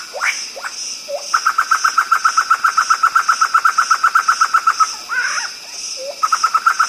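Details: Black-throated laughingthrush, a black bird, opening with a few sharp upslurred notes, then a long steady series of short repeated notes about four per second, a brief warbled break, and the rapid series starting again.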